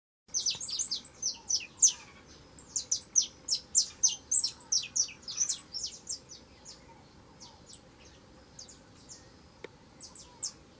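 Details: Young saffron finch singing a lot: rapid bursts of high, sharp chirps and downward-swept notes, about three or four a second, clustered in the first seconds, then sparser notes with pauses near the end.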